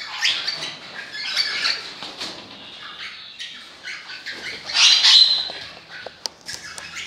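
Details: Harsh, grating squawks from an orange-blue fallow crimson rosella, irregular bursts with a louder call near the end, plus a few sharp clicks and soft wing flutters.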